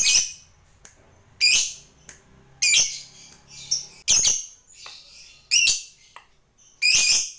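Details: Lovebird giving a series of short, harsh, high squawks about every one and a half seconds, with fainter chirps between them; no long trill here.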